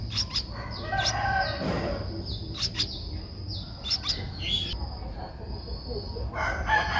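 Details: Eleven-day-old Streak-eared bulbul chick in Ubon Ratchathani, Thailand, recorded 13 April 2023, giving high, downward-sliding calls mixed with sharp broadband chirps in irregular bursts, with low background noise.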